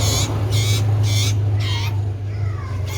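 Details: Common iora, the cipoh sirtu, singing hard: four rough, buzzy bursts in quick succession, then a pause and a faint sliding note, with a strong low hum throughout.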